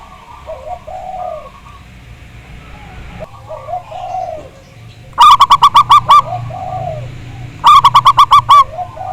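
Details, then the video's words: Zebra dove with a large, strong voice, in a lure recording meant to prompt other doves to sing: soft, low cooing phrases underneath, then two loud, distorted bursts of about six rapid staccato coo notes each, close together. "Pancingan Perkutut Agar Bunyi, Suara Besar Mantab"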